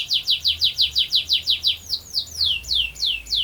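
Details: Canary in long rolling song, a steady series of clear downward-sweeping whistled notes, about four per second, slowing slightly toward the end.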